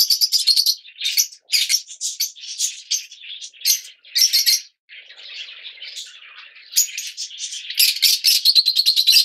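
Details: Captive Yellow Fischer's lovebirds keep up rapid, shrill twittering and harsh buzzy chatter, several ticking bursts in quick succession, a softer grating passage midway, then dense squeaky chatter again.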